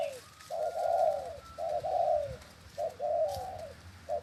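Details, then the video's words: Leg-tethered spotted dove in keen cooing, giving loud low coo phrases, each a quick short note then a long resonant coo, about once a second, with a faint thin whistle in the background. "Tiếng Chim Cu . Cu Gáy Xích chân Gù thật máu"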